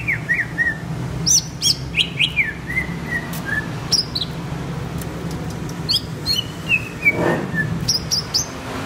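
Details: Greater green leafbird song: bright slurred whistles and downward-sweeping chirps in irregular phrases, some notes high and thin, with a low background rumble throughout.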